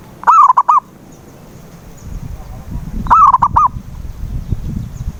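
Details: Zebra dove cooing, recorded as a lure to coax a silent dove into singing: two mellow phrases about three seconds apart, each a drawn-out coo followed by two short coos, over a low rumbling background.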